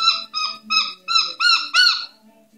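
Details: A newly rehomed Moluccan cockatoo playing and clowning gives six quick, nasal, harmonic squawks, roughly three per second, each slightly bent in pitch, with a faint murmur of a person's voice beneath.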